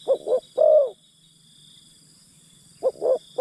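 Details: Decoy spotted dove calling to draw in wild forest birds: two quick soft coos followed by a drawn-out, slightly falling coo, then a pause before the phrase begins again.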